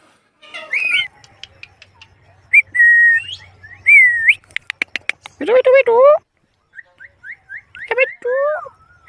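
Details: A pet Indian ringneck (rose-ringed parakeet) in the afternoon mixes shrill rising whistles and dry clicks with two bursts of throaty, human-like talk, repeating "mitthu" and "mummy."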